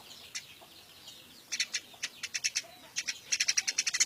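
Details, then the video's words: Wild-caught Eurasian tree sparrow kept in captivity, scattered single chirps building into quick runs of sharp, high notes toward the end. "Suara Burung Gereja Makin Lama Makin Nyerecet Gacor"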